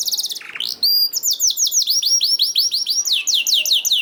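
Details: Canary song meant to get other canaries singing: a brief buzzy trill, then a long string of bright, rapidly repeated sweeping whistles, high and continuous.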